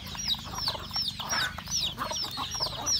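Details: Home-kept rural chickens, roosters and hens, at breakfast feeding time: rapid high chirps repeated about every third of a second over busy clucking and scratching, several birds calling together.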